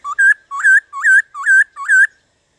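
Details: Black-throated laughingthrush in 'gọi bổi' song, meant to stir other laughingthrushes into singing: five evenly spaced two-part whistles, each a short low note rising into a longer, higher, rich note.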